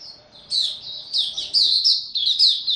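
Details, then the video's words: High, rapid twittering from a young white-eye whose song is maturing, recorded 09-02-2022; loud bursts of bright chirping phrases come about every half second over a soft continuous warble. "Mata Puteh Dagger Video 1 buka sing tiong aw studying his progress n maturing"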